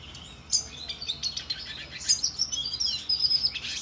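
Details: Siskin recorded in 2024 sings a fast, high twittering run of thin chirps and trills, with short bursts that follow one another almost without pause.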